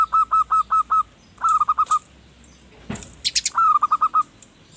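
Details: Zebra dove song used as a lure for wild birds: bursts of rapid, clear cooing notes in quick rhythmic series, a thud in the middle, and high chirps from small birds nearby.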